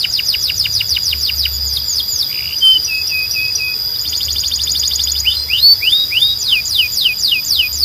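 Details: Belgian canary calling the other canaries to sing: fast descending whistled sweeps, a short lower stuttered run, a rapid even trill, then rising and falling slurred notes.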